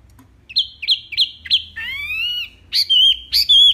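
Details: Wambi mini in energetic song. A run of short rising chirps is followed by a long buzzy downslurred note, then loud clear whistles with wavering tails.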